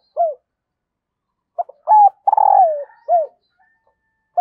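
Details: Cooing of a female dove meant to excite the male and attract wild males. Short hooked notes, a burst of two quick notes, then a long pulsing coo with a falling tail, followed by another hooked note, all in silence.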